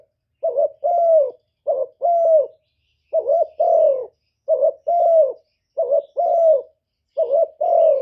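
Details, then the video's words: Spotted dove kept as a decoy, cooing steadily: six regular pairs of a short clipped note and a fuller, sustained, gently descending coo, evenly spaced over several seconds, nothing else audible. "Chim Cu Gáy Mồi gáy gù cực chất, kích mồi kích bổi cực chuẩn"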